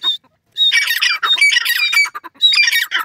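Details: Grey francolin chicks, known locally as Dakhni teetar babies, chattering to their parents in three long runs of dense, rasping squawks separated by brief silences, loud and close.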